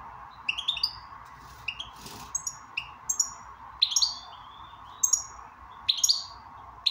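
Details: Goldfinch singing in a bell-ring style: bright, ringing high notes and short twittering phrases spaced through the recording, each sharp and clear, over a steady mid-pitched background hum.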